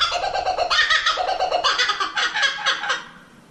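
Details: Kookaburra, introduced as a strange-sounding bird, gives a loud, rapid cackling laugh of harsh repeated notes that rise and fall in bursts for about three seconds before stopping abruptly.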